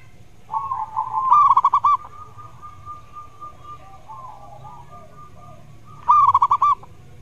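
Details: Zebra dove singing as a lure to encourage other doves that rarely sing: two separate rapid rolls of clipped, mellow coos several seconds apart, with quieter sustained cooing notes in between and faint low hum.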